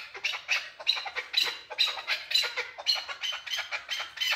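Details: Male chukar partridge: harsh, scratchy chuck notes repeated steadily about two per second, bright and rasping throughout.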